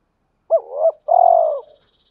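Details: One cooing phrase of a male spotted dove, meant to provoke fighting and call a mate: a brief upswept hoot flowing into a gentle coo, then a long trilling coo tapering off downward.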